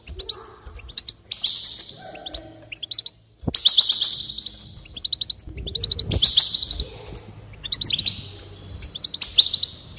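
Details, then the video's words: Goldfinch singing, meant to encourage another bird to sing: bursts of liquid twitters leading into long buzzy, jingling trills, with a brief silent gap early on and a faint low hum underneath. "increase the enthusiasm of the goldfinch and encourage it to song"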